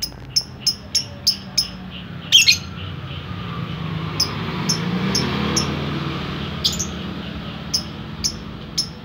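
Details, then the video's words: Lovebird giving ngetik typing-like ticks: a quick series of sharp clicks, a brief rougher chirp, a lull filled by rising background rumble, then scattered ticks resume. "Lovebird kicau ngetik"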